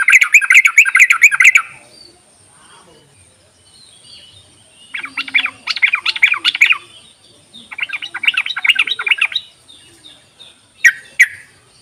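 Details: Lure recording of yellow-vented bulbul meant to coax quiet birds into singing: repeated bubbling, chattery phrases of about two seconds with gaps between, ending with a single short burst.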